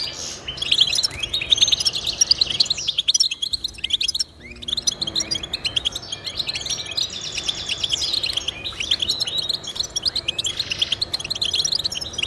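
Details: European goldfinch song for motivating pet goldfinches: dense, tinkling twitter of quick high notes, a short pause around the middle, then the chattering resumes steadily to the end.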